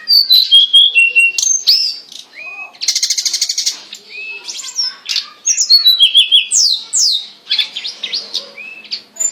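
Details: Energetic hill blue flycatcher song meant for tutoring caged birds: descending whistled phrases, a long rattling buzzy trill near the third second, then sharp rising and falling slurs repeated rapidly.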